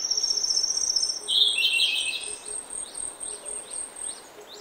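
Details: In oak woodland early in the morning, a grey-backed thrush delivers a strong, rich warbled phrase, followed by a run of repeated short high chirps from other birds over a steady high-pitched hum.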